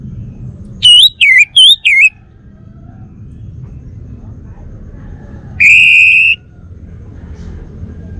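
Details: Bali male orange-headed thrush, a home-kept songbird, sings four quick wavering whistles, then after a long pause a single steady flat whistle lasting under a second.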